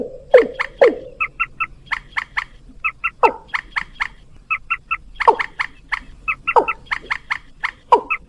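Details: White-breasted waterhen lure recording: deep, croaking downward swoops alternate with quick runs of short, bright double-toned clucks. The clucks come in rapid bursts between the louder swoops.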